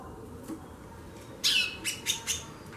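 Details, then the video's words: Female White-bellied seedeater, or chorão, chattering busily (xaxando): one loud buzzy note sliding downward, followed by three short high chips in quick succession, over a steady low hum. "FÊMEA DE CHORÃO XAXANDO MUITO"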